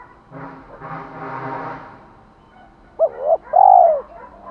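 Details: Spotted dove calling to provoke a male: a blurred low murmur first, then a double arched coo and a long loud falling coo.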